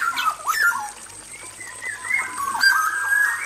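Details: Black-naped oriole male singing in an aviary: a rapid chain of whistled slurs and fluty rising and falling notes, almost unbroken, with a few raspy touches and a steady high background hiss.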